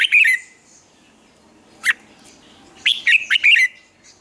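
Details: Red-whiskered bulbul in captivity giving training song for the morning: a bright warble at the start, a lone sharp note, then a fast rollicking phrase of slurred whistles.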